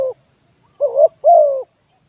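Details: Spotted dove used as a decoy to lure wild doves: a cut-off tail note, then a wavering low coo and a long, slightly falling coo, the last two run close together.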